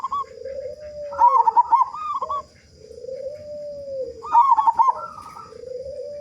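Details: Zebra dove of local stock, a prolific big-voiced singer meant to prompt other doves into song: trilled, bubbling coo phrases over long, low, drawn-out coos that slide downward, in repeated cycles.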